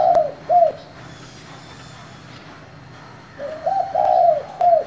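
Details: Spotted dove calling in its 'thổ' voice to goad wild doves into responding. Short paired coos open, then after a pause a longer rolling phrase of soft, arched, hollow notes follows.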